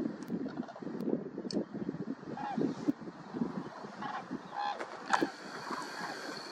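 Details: Common cranes flying as a flock at sunset over the Hrodzenskaya Svislach nature reserve, Hrodna region, western Belarus, on 29 September 2021. Scattered, trumpeting calls with rough harmonics sound above low murmuring voices nearby.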